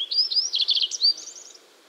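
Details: Yellow-browed bunting, East Siberian bunting species, delivering a quick high song fragment: thin whistled notes, a buzzy rattling burst, a sharp upslur and a fading run of high twittered notes.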